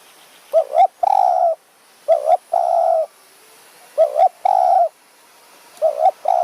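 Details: Spotted dove in high mountain forest near Kanchanaburi, Thailand, in the evening, answering during luring with a decoy bird; low coos in a repeated pattern, a quick doubled note then a longer steady coo, about every two seconds.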